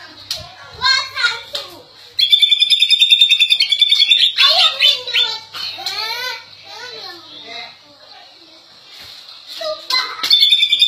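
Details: Greater green leafbird from Indonesia singing a lively, varied song: quick sweeping whistles and chatter broken by fast, buzzy high trills, with no other clear sounds.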